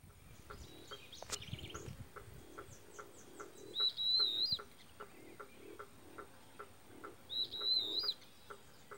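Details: Wattled jacana with its large chick at a lake or river margin gives two thin, high, squeaky notes about three and a half seconds apart, over steady rapid soft ticking pulses.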